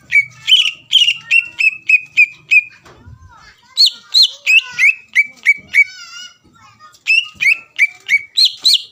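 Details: Greater green leafbird singing to provoke a rival into song: rapid repeated whistled notes about three per second, broken by a brief quiet gap and a rasping, trilled passage.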